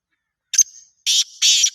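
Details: Black francolin giving one short phrase of harsh, rasping notes. A brief clipped note leads into two longer buzzy grating bursts over silence.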